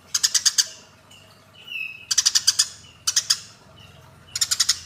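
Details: Short clusters of four to six loud, grating chirps from fighting Eurasian tree sparrows, coming roughly once a second, with a brief rising whistle between them.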